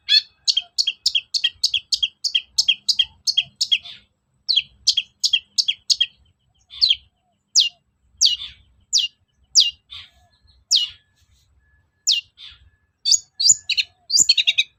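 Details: Long-tailed shrike song used to provoke rival birds to respond and sing: a rapid run of high, sharp chirps, then slower thin downward-sweeping whistles spaced about a second apart, ending in a tight cluster of twittering notes.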